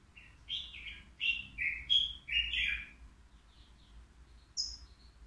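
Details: Caged three-year-old European goldfinch at the Al-Qurai'a bird market, its song called flawless: a burst of bright twittering, buzzy notes for about three seconds, then quieter high tinkling notes with faint low hum behind.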